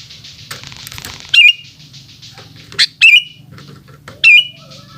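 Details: Afternoon song of a sooty-headed bulbul: separate bright whistles, each bending down then leveling, spaced a second or so apart, with a faint hiss and a low hum behind.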